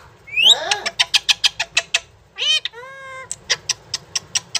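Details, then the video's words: Pet talking parrot saying "mummy mummy": a fast series of short, bright, harmonic syllables, with a quick rising squeak at the start and a drawn-out nasal note in the middle, then more rapid syllables. "mummy mummy bolne wala parrot"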